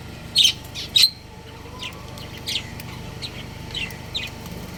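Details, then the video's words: Breeding pair of budgerigars: two loud, piercing chirps open the recording, followed by softer scattered chirps over a steady low hum. "Love Birds Chirping Sounds | Cute Budgies Breeding Pair"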